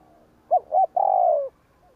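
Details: Spotted dove giving a provoking coo used to lure wild doves: two short, rounded coos followed by one long, smooth coo that slowly falls in pitch, a single phrase in a quiet setting.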